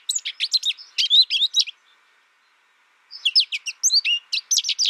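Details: American Goldfinch song: quick bright chirps and twitters in a dense burst, then about a second and a half of silence, then another lively twittering phrase. Clean, with no background noise.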